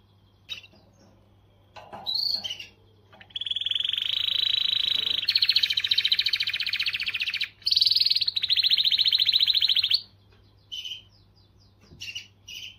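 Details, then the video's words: Canary song to motivate females: brief chirps, then a long loud buzzy trill held for several seconds, a short pause and another extended rolling trill, closing with scattered chirps. "تغريدة قوية من الكناري لتحفيز .. The strongest tweet from the canary to motivate"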